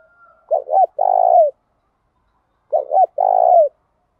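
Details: Thổ đồng style song of a spotted dove, meant to provoke males to reply and sing back. Two phrases, each a pair of quick curved coos then one long vibrating coo, with silence between.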